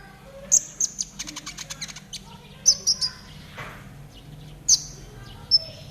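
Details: High-pitched trotol song of a konin, used to train caged birds to sing quickly: a few loud thin chirps, a soft rapid ticking run, then spaced bright notes with short pauses between them.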